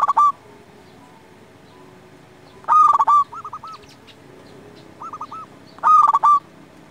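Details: Zebra dove singing actively to stir other doves to reply: loud rolling coos at roughly three-second intervals, each followed by short clipped notes. Quieter triple coos fill the gaps over a low background drone.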